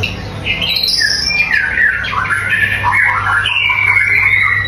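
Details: White-rumped shama song. A high whistle opens a continuous tumbling stream of warbled and slurred notes, ending in a long, flat, thin whistle, with a low background hum.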